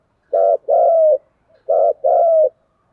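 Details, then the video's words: Two matching coo phrases from a spotted dove in fighting-call style, each a short burst followed by a longer, gently falling coo, separated by roughly a second of quiet. The setting is otherwise silent. "cu gáy thúc đấu & cu gáy thúc gù"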